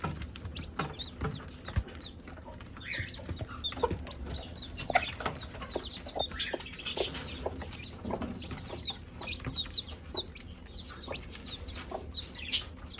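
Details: A brood of chicks called to eat by the mother hen, peeping constantly in a dense chorus of high arched chirps, steady throughout, over faint low rumble and occasional taps.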